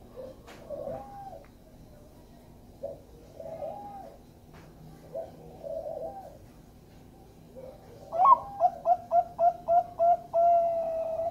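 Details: Zebra dove of the Bangkok type, used as a lure to make other doves sing: a few soft, spaced coos first, then a full melodious phrase of a rising note, seven fast short coos and a long closing note.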